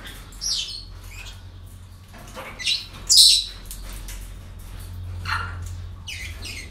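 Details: Parrots at a breeding centre during an ordinary day produce scattered short screechy squawks, several overlapping callers, one louder burst midway, with constant low hum behind.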